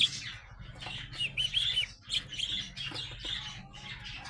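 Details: Young sparrows, described as growing up, give a lively run of bright chirps and twitters with some wing flutter in the first two seconds, then softer chatter continuing over a low hum.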